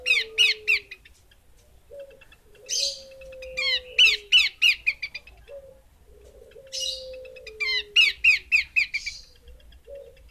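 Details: Female Horsfield's babbler giving bursts of rapid, sharp, repeated chirps, about three per second, in clusters, with a low steady whistled tone sliding slightly downward between the bursts.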